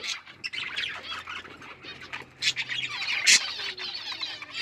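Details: Chirping budgerigars, pet Australian parrots, with scattered scratchy warbles and thin chirps, rising to a sharp, loud squawk toward the end amid continuing chatter.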